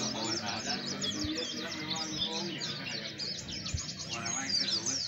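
Oriental white-eye song: rapid, thin, high twittering chirps pouring out continuously, with a low steady hum or music beneath.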